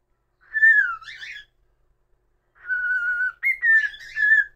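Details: A pet cockatiel gives a melodic whistle: a wavering note sliding down into a buzzy trill, a pause, then a long steady tone that jumps up and settles back.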